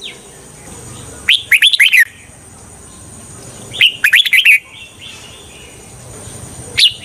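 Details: A red-whiskered bulbul kept as a lure for trapping wild birds sings short chattering phrases of rapid, slurred whistles, two full phrases about two and a half seconds apart and a brief note at the end.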